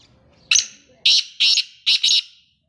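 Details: Male black francolin (kala teetar) calling: five loud, harsh, grating notes. Three single notes are spaced about half a second apart, then a quick close pair, all high and rasping against a quiet background.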